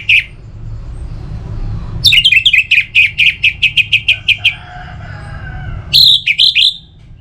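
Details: Orange-headed thrush singing as a singing stimulus: a brief whistle, then a long series of about a dozen quick repeated chirps at an even pace, followed by a short burst of slurred whistled notes, with low background hum.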